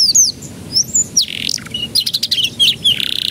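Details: Singing canary, played to coax juvenile canaries into breaking into song; sweeping high whistles, a harsh buzzy rasp, then clipped chirps ending in a fast rattling trill.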